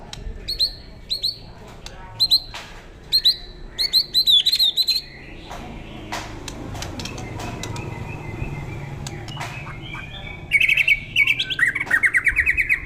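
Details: White-rumped shama kept for songbird competition, judged ready to compete; bursts of sharp high whistled notes with gaps of steady hiss, ending in rapid repeated trilled phrases.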